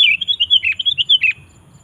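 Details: Sooty-headed bulbul (kutilang) singing loudly in gacor style to get wild bulbuls singing along: a lively string of about ten chuckling, warbled whistles delivered in quick succession, then quiet.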